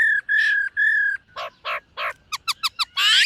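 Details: White-cheeked laughingthrush practising its song in the morning, three level whistles followed by harsher rasping notes, a quick run of sharp upswept chips and a closing burst of harsh chatter.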